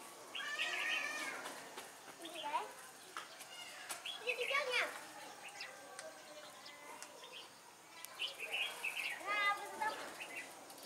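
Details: Red-whiskered bulbul used as a decoy bird in trapping, Vietnam; a bright warbled song in short bursts of rising and falling whistles with buzzy trills, repeated several times over about ten seconds, while a person speaks quietly in the background.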